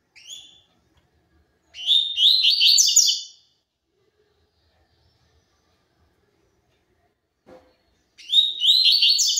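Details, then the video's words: Pure tui tui zel zel song of a double-collared seedeater, with two loud high phrases of rapid, slurred, rising and falling notes about six seconds apart, separated by silence and a faint knock. "COLEIRO TUI TUI ZEL ZEL PURO"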